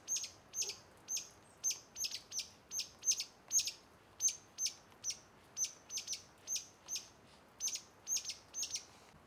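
A streaked laughingthrush gives sharp, high, clipped chip notes, about two each second and sometimes paired, over a quiet background.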